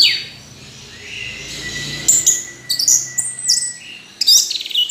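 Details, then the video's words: Orange-headed thrush singing: a long thin whistle held steady near one pitch, followed by bursts of sharp, varied, high chirps and rapid downslurred notes, with a soft background hiss. "Anis Merah Kicau Sampai Teler"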